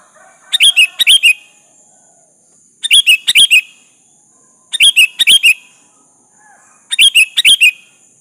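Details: Sooty-headed bulbul singing vigorously as a lure to call a rival to answer: four bursts of three to four quick, bubbly whistled notes, repeated about every two seconds, over a steady high-pitched background hiss.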